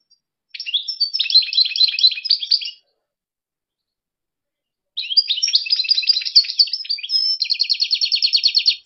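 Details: European goldfinch in Algeria giving two long twittering phrases of rapid, bubbling high notes; the second ends in a fast, even run of repeated buzzy ticks, with a clean pause between phrases.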